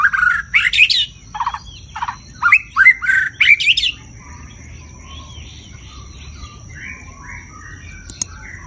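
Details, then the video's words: White-rumped shama (Copsychus malabaricus) giving a loud, varied song of many voices: a quick burst of whistled and chattering phrases that sweep up and down over four seconds, then softer scattered notes, with a steady high-pitched tone throughout. "kích chòe lửa hót, nhiều giọng"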